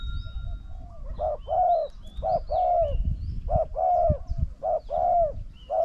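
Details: Spotted dove, decoy against a wild bird, coo duel. Soft hollow coos come in repeated groups, a clipped note followed by a drawn-out falling one. A low rumble underneath and faint high twitters from other birds.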